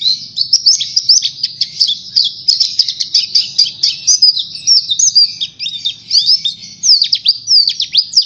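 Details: Energetic Oriental white-eye song meant to prompt other birds to sing: an unbroken stream of thin, high twitters and fast chirps, ending in sharp downward-slurred notes, with a faint low hum behind.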